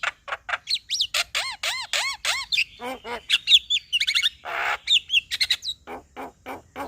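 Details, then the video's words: Male black-winged myna singing to provoke another bird into calling: a rapid run of harsh, buzzy notes mixed with looping whistled slurs and a grating squawk, delivered in quick succession with no other sounds. "Kicauan Jalak Kebo Jantan Bikin Jalak Kebo Malas Bunyi Jadi Emosi"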